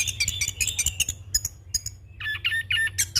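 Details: Rolling song from a young orange-headed thrush, used for training and as a lure: rapid high twittering runs, a brief pause, then lower harsh chattering notes, with low hum throughout.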